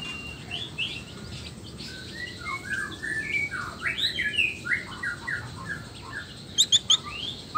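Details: Varied warbled song of a male black-tailed white-rumped shama from Nias, used to rouse other males into singing; fairly quiet, with rising and falling slurred phrases, ending in a few sharp high notes over steady background hiss.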